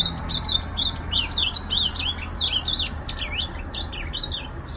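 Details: Ultramarine grosbeak (azulão) singing a continuous, fast run of warbled whistled notes that bend up and down, one after another for the whole stretch, over a steady low hum.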